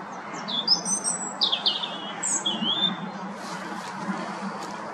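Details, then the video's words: European robin singing for its territory from atop a tall tree by a pond near Chesterfield, Derbyshire, UK; sweet high thin whistles and trilled phrases, some descending, in a short warbling burst, with soft low background rumble. "Robin territorial singing!!"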